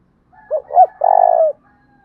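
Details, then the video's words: Lure call of a spotted dove, said to be a 'thổ đồng' voice in the 'thúc bổi' style for drawing in wild doves. It has two quick hooked coos and then a drawn-out, slightly pulsing low coo that falls at the end. Near silence around it. "tiếng cu gáy thúc bổi, Tiếng cu gáy mồi chuẩn"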